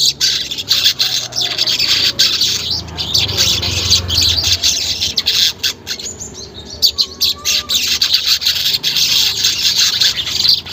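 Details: Long stretch of weaver song used to stimulate caged weavers: steady, shrill, sizzling chatter broken into rapid stuttering bursts, pausing briefly near the middle before resuming, with a faint low rumble early on.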